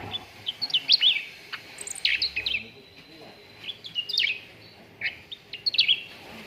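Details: Contest-bird training song of a cucak ranting: clusters of sharp, high chirps and quick slurred whistles, grouped in short bursts separated by brief gaps, over light background noise.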